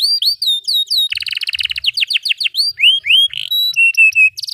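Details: Canary delivering a long tutor song for young canaries; looping whistled upslurs, a dense buzzy roll, quick falling sweeps and clear steady whistles in varied phrases.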